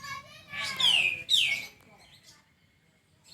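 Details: Tutor song for a caged sooty-headed bulbul: two loud descending slurred notes close together, preceded by soft chatter and followed by a thin sustained tone and quiet background.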